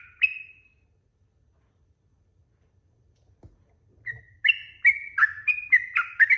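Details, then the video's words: Sooty-headed bulbul song meant as a lure to get other birds to reply: one lone whistled note, a long pause, then a quick burst of bright chirped notes jumping between higher and lower pitches. "KICAU TRUCUK ‼️TRUCUKAN GACOR ROPEL PANJANG🛑 Pancingan Burung Trucuk Bahan Cepat NYAUT"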